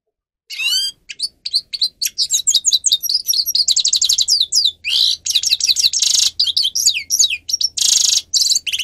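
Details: Grey-crowned goldfinch, a singing bird, with song meant for teaching captive birds. It is a long, fast run of liquid twitters, trills and tinkling slurred notes broken by harsh buzzy rattles, delivered almost without pause over a faint low hum.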